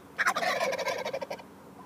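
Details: A single turkey gobble: a rapid, throaty rattle of closely packed notes lasting just over a second, loud and clear above a quiet background.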